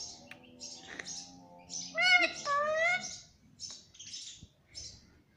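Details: Talking pet parrot saying "mummy": a loud, speech-like burst of two harmonic syllables mid-clip. Soft high chirps from other birds repeat around it.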